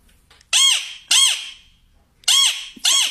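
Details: A pet male ring-necked parakeet, jokingly said to be exercising, gives four harsh, grating squawks, each under half a second, in two pairs with a brief pause between them, in a quiet indoor room.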